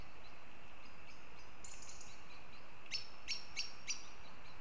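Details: Riga, Latvia: after faint high chirping from other birds, northern goshawks give four sharp, spaced notes about three per second against continuous low background noise.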